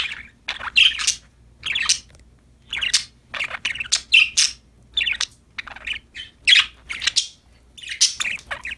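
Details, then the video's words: Happy budgerigars playing indoors chirp in steady, evenly spaced bursts of scratchy, high warbling notes, about one burst per second, with short silences between. "Happy Parakeets Chirping Sound #budgies Singing, Playing"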